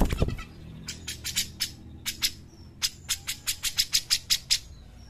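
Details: A lively singing cucak jenggot, or grey-cheeked bulbul, used as a lure and master recording for other birds. After a low thump at the start come spaced harsh notes, which build into a steady series of sharp chattering calls.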